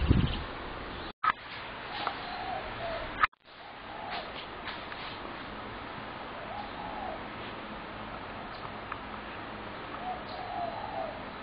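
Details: Spotted doves in a population explosion caused by a neighbour's feeding, calling near homes all day; faint coos spaced through the clip after two abrupt cuts and bumps at the start.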